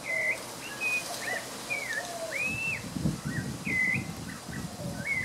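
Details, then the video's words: Possible spot-breasted oriole, identity unconfirmed, singing near the visitor centre at Santa Ana National Wildlife Refuge, Texas, on 3 May 2015: clear, slurred whistles, level or swooping, in short phrases about every half second, over low wind or traffic rumble. Its song had been played back, and northern mockingbirds were nearby. "Spot-breasted Oriole song?"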